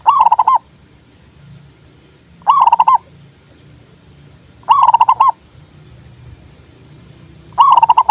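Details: Perkutut, the zebra dove, singing a recording meant to get other doves calling and to lure them: short, quick, stuttering coo phrases, each about half a second long, repeated roughly every two and a half seconds, with faint high chirps between.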